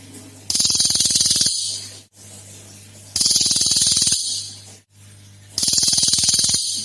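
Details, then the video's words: Lure song of a cililin, described as having three rare sound variations, used to prompt other birds: three loud, harsh rattles of quick repeated ticks, each about a second long, separated by pauses, with a steady low hum throughout. "SUARA ASLI CILILIN GACOR / Tembakan 3 Jenis Suara Jarang Ada !!! PANCINGAN BUNYI CILILIN"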